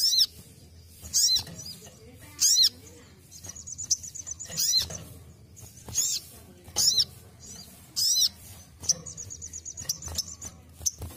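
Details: Basic song of a ruby-cheeked sunbird, recorded as a training reference: loud high arched notes with falling harmonics repeated every one to one and a half seconds, interspersed with thin ticking trills.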